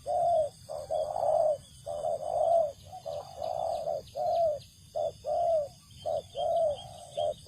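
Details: Spotted dove calling in a paddy field during luring, a steady string of short and drawn-out coos repeated several times a second, with high insect buzzing and a low constant hum behind.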